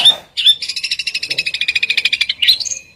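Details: Two sharp whistled notes, then a rapid pulsing rattle of about ten beats per second, closing with a squeaky upward chirp, besetan style.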